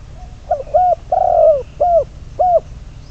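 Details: Low, mellow cooing from a spotted dove serving as a trapping decoy, bird number 22: a brief opening note, a rounded coo, a long drawn coo, then two evenly spaced short coos.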